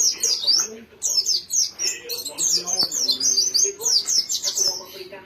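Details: Captive white-eye in lively song, strings of quick, high, sliding chirps tumbling together in dense runs broken by brief gaps, a few clicks and a soft low tone behind.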